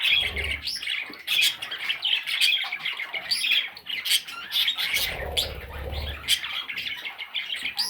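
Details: Several young parrot chicks squawking together: rough, buzzy, high chatter running steadily throughout, dotted with sharper peeps and occasional dull bumps.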